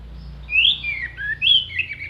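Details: Short clear-voiced phrase from an orange-headed thrush singing isian fill for songbird contests: two swooping whistled notes, each sliding upward then dropping, joined by softer lower warbles.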